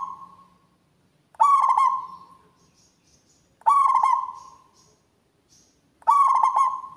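A zebra dove repeats a loud cooing phrase about every two and a half seconds: a quick stuttered start, then a ringing, fading coo.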